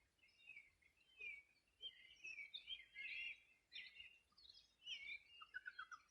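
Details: Birds singing along the Río Bueno in the Los Ríos Region on a summer morning in 2020: several birds give bright chirps, trills and twittering phrases that overlap, over a quiet background.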